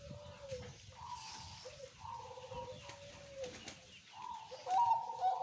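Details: Zebra dove in slow anggungan pelan cooing, a steady series of short rolling coo notes repeated about twice a second. Soft chirps and rustling are heard in the background.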